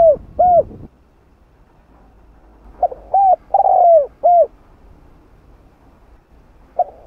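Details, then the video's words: Repeated coo phrases of a spotted dove in the 'hạp bổi' style for rousing other doves: two short coos, a silence, then short notes, a long slurred falling coo and a final short coo. "Tiếng Cu Gáy Giọng Hạp Bổi 010 [ GỌI +THÚ ] Kích Bổi Nhanh Nổi"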